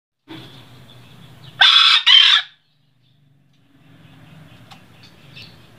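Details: Green junglefowl from the Sembalun highlands of Lombok, about 1700 m above sea level, gives one hoarse, high two-part crow of two short harsh bursts close together, over a low hum.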